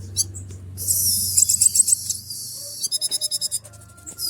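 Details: Konin in breeding condition, excited by a female, produces a harsh high hiss with scattered sharp notes, then a clear rattling trill of about eight notes, then a thin whistle.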